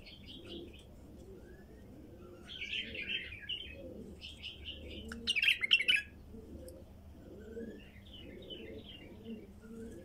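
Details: Over ten seconds, a wild female bulbul produces scattered whistled phrases and a dense burst of sharp chirps around the middle, while doves coo softly and steadily beneath.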